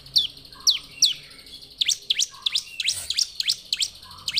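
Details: Bar-winged prinia (ciblek) giving high, steeply falling whistled chips, spaced at first and then quickening into a rapid, scratchy sequence, with a faint low hum behind.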